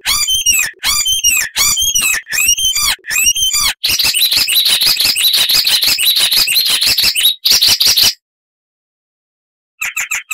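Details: Loud, variable Icterine warbler singing with mimicry: five repeated arching squeaky phrases, then a dense fast chatter of high notes, a silence and a brief final burst.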